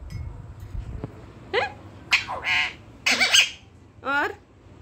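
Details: Quarrelsome pet parrot indoors, squawking while being scolded for breaking a cup: a series of harsh, harmonic squawks with rising and falling strokes, about five bursts in quick succession, with a woman's voice speaking Hindi in the background.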